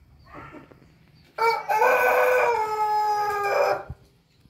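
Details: Crowing Pelung chicken: a soft short sound, then a powerful sustained crow of about two and a half seconds, rich and harmonic, with a falling tail at the end.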